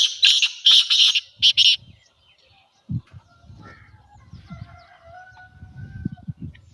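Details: Black francolin (kala teetar) call, a natural sound used to set francolins calling: three harsh, grating bursts of buzzy notes in under two seconds, followed by quiet with faint whistled notes from other birds.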